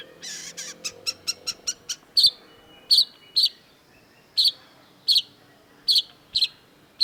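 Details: Long-tailed shrike, full-voiced: a quick series of thin, high ticking notes, then sharp, piercing chips delivered singly or in pairs about every second.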